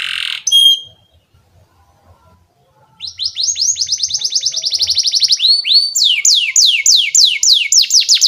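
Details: Young canaries learn from this lure song of a canary: a short burst of notes, near silence for two seconds, then a long accelerating series of high whistled trills changing to slower, downward-sweeping notes.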